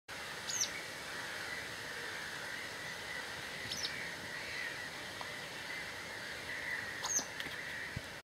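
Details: Citrine wagtail at Losiny Ostrov, 2010, giving three short, high, sharp chirps about three seconds apart, over a steady hiss of wind and a background hum.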